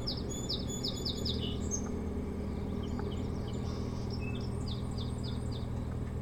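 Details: Osprey at a boat-house nest on Hog Island near Bremen, Maine, 25 July 2018 around 9–10 am, gives quick series of high, thin, whistled chirps, one burst at the start and another near the end, over a steady low rumble of wind or hum.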